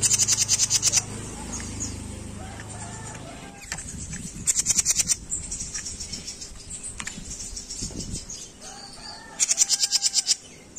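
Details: Training recording of jenggot bird song for songbirds: three very high, rapid rattling trills at the start, middle and end, each about a second long, with thin chips between and a low rumbling noise at the beginning.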